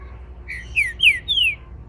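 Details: Captive Green-winged Saltator, bred in Brazil, warming up toward its main song: four clear whistled notes, each slurring downward and rising slightly higher in pitch, over a faint low hum.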